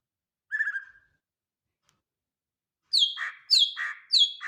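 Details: Greater green leafbird: a short trilled whistle, a pause of two seconds, then a series of bright falling whistles alternating with harsher lower notes, repeated three times.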